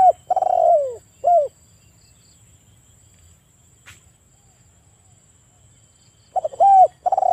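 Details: Spotted dove (tekukur) cooing, played in the afternoon as a prompt for stressed, silent captive doves: low, mellow hooting notes in two short bursts about five seconds apart, over a faint insect-like hum.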